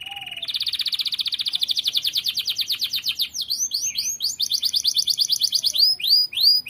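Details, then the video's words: Energetic canary song for bird tutoring: a long fast rattling trill of repeated chirps, shifting into higher hooked whistled notes and rolling phrases, steady and loud throughout. "KENARI GACOR. MASTERAN BURUNG TERBAIK"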